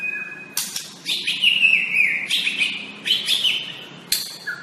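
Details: Young wild-caught white-rumped shama from the forest, kept as a master tutor bird: loud clear whistled phrases with sharp notes, long sliding whistles and short bursts, phrases spaced unevenly over a quiet background.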